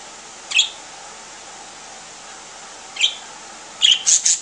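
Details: Three pet parakeets slowly waking up in the morning: a sharp high chirp, another about two and a half seconds later, then a quick burst of three or four bright chirps at the end over a steady background hiss.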